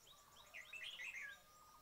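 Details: Red-whiskered bulbul recorded while trapping birds: one loud, rapid phrase of liquid whistled notes lasting under a second, against soft high chirping from other birds.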